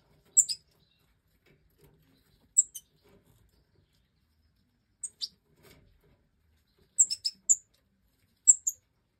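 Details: One of the last five Major goldfinch chicks of the 2024 breeding, out of the nest and fed by the hen. Thin, very high chirps, singly and in doubles, every couple of seconds against silence.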